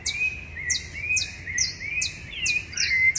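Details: Several rufous-bellied thrushes sing in a backyard in Curitiba, Brazil, before dawn on 10 September 2012: soft, slurred warbled phrases mixed with sharp, very high descending notes about twice a second, over faint hiss.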